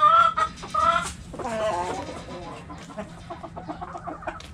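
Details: Backyard chickens with a cabbage: two loud nasal clucks, then a wavering squawk, fading into softer scattered clucking from the flock.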